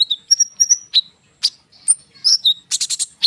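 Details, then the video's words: Konin bird in continuous lure song: bright whistled notes, sharp chips and a rapid buzzy burst near the end, high-pitched and varied with short gaps. "konin gacor ngerol suara rapat untuk pancingan kolibri bahan cepat respon"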